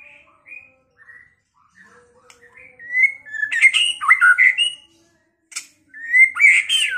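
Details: White-rumped shama (murai batu), a kept bird from Pekalongan, in a song used to provoke rivals into fighting and singing. Soft scattered whistled notes give way to loud, tumbling bursts of varied whistles and rasps in the second half.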